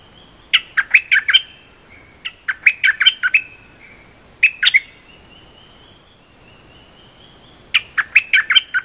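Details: Cream-vented bulbul giving a short training song meant for young or silent birds: four bursts of bubbly, chattering notes, each burst trailing into a thin, level whistle before the next phrase starts.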